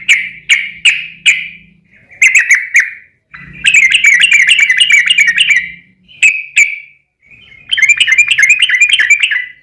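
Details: Sooty-headed bulbul song used as a lure to provoke other bulbuls into singing: bursts of rich, bubbling warbled phrases repeated in quick runs, broken by short pauses, with a faint low hum beneath.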